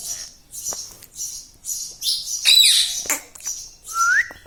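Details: ['Pet parrot kept indoors: a run of short, high, scratchy chirps and squawks roughly every half second, a louder harsh burst midway, and a clear rising whistle at the end.']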